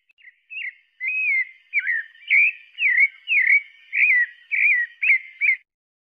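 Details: A pale-breasted thrush gives a lively series of swooping, slurred whistles, roughly two per second, some rising and others dipping, before falling silent.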